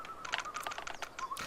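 A woodpecker taps with its beak: sharp, dry knocks, about eight in under two seconds at an uneven pace, over a faint steady high tone.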